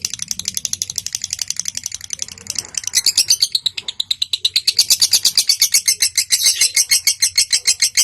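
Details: Lovebird giving a long chattering ngekek song, used as a prompt to get other lovebirds singing: a fast run of high, harsh ticking notes that starts softer, then swells into a loud, steady rattling trill after about three seconds.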